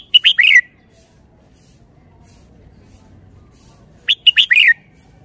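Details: Red-whiskered bulbul with praised phrasing and style, repeating the same short song twice, roughly four seconds apart. Crisp chirped notes tumble into a warbled, descending flourish, with only a faint low background between phrases.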